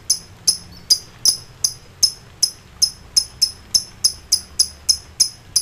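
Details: Excited lovebird calling out to rivals with a steady series of crisp, high chirps, about three per second, evenly paced throughout.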